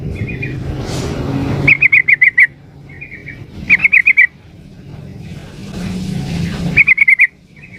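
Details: Female yellow-vented bulbul calling the male: three bursts of five or six quick, bright chattering notes, each burst slightly falling, separated by short soft twitters, with steady traffic rumble underneath.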